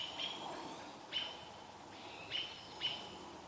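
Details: American robins mobbing a barred owl near Vancouver, an owlet nearby; four sparse, sharp chirps spaced roughly a second apart, fainter at first, over a quiet steady hiss.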